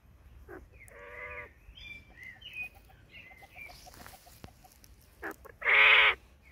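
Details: A male tuxedo Japanese quail, filmed singing in a garden with the hens, gives a loud, harsh, buzzy burst near the end, after softer clucks and chirps likely from the hens nearby.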